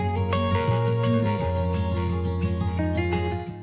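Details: Strummed acoustic guitar music fills the clip, with no animal calls heard.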